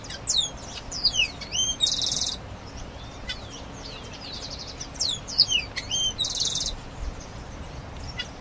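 A grayish baywing gives two bursts of song about four seconds apart: quick, sliding whistles mixed with a harsh buzzy note, over a soft, steady background hiss.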